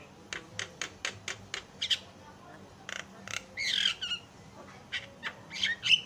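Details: Javan myna song used as a lure to make other mynas sing: a rapid train of dry clicking notes, followed by harsh rasping squawks and a few sharp whistled notes.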